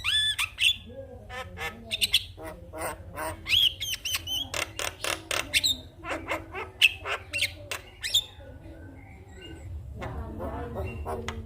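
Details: Javan myna giving morning song meant to get silent mynas singing: rhythmic dry clicks with repeated brief whistled notes scattered throughout, trailing off into quieter sounds at the close.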